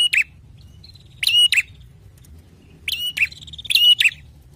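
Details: Bar-winged prinia giving a loud, ringing song: harsh, broadband double chirps with a sharp tonal core, in bursts about every one and a half seconds, separated by quiet gaps over low background hum.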